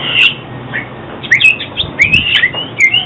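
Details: Oriental magpie-robin singing, recorded for trapping and song training: short bright whistled notes and upslurred phrases separated by brief pauses, with a few sharp clicks over steady low hiss.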